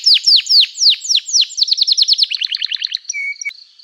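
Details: Lively canary song meant to provoke other canaries to answer: loud sweeping down-slurred notes give way to quicker, tighter chirps, then a short low steady whistle and a fading thin tone.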